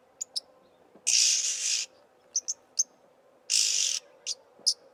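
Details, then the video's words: Somali oxpecker (jirri): two long, harsh, broad hissing rasps about two seconds apart, interspersed with brief high ticking chirps, against a faint low background hum. "Jirri | oxpecker"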